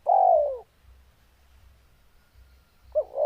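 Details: Spotted dove in breeding condition: a drawn-out, mellow coo that drifts downward opens the recording, then silence with faint low rumble, and the start of another hooting phrase at the end.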